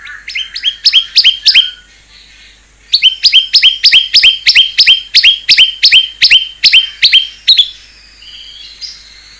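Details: Murai batu, white-rumped shama, repeating one bright clipped whistled phrase in a steady run, roughly three per second, after a short opening group; a fierce-sounding isian song.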